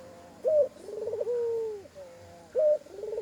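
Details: Spotted dove giving an odd-sounding call with added koak notes: a short bright note, a rapid rolling burr, then a drawn-out coo that slides down at the end, before the next phrase starts.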